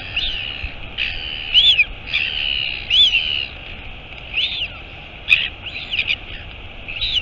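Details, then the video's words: Mother royal albatross arriving at the nest, Taiaroa Head near Dunedin, New Zealand, 23 August 2022, nest camera: a run of harsh, arching calls, each under a second, repeated steadily, with a sharp click midway and wind hiss behind. "Альбатрос. Прилетела мама - Albatross. Mom arrived"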